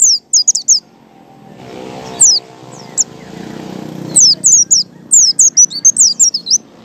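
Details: Ngalas-style white-eye song meant to coax other white-eyes into singing. Clusters of high, thin, falling whistles open and close the passage. A low humming background fills the middle, broken by single sharp notes.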